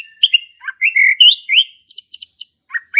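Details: A male orange-headed thrush sings to trigger song in a silent thrush: lower slurred whistles and warbled phrases give way to a quick series of bright repeated high chirps.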